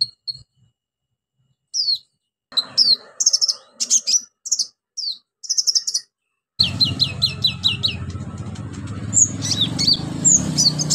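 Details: Orange-headed thrush singing a prompting song for birds that have gone quiet: clusters of high sharp whistled notes and rapid chattering phrases, later joined by a steady low hum in the background.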